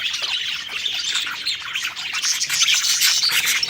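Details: Happy eating budgerigars chattering together: quick squawky chirps and warbles from several birds, growing busier and brighter toward the end.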